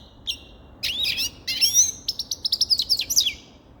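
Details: Grey-crowned goldfinch singing a fast, tinkling twitter: a single short note, then a rapid, even series of high chirps that speeds into a trill.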